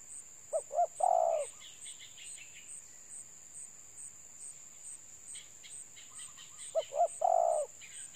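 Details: Spotted dove cooing: two short low hoots followed by a longer rolling coo, the phrase given twice about six seconds apart, with a steady high insect pulse and faint chirps of other birds behind.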